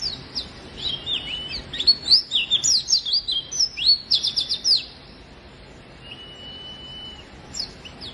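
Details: Oriental white-eye song intended to stimulate lazy white-eyes to sing: about five seconds of fast, jumbled high twitters and chirps, then a pause, a drawn-out level whistle and a few final chirps.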